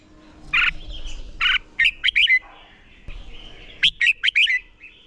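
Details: Red-whiskered bulbul being trained to sing for competition: a few loud chirped notes, then quick rising and falling whistled syllables in short clusters, a faint low hum underneath.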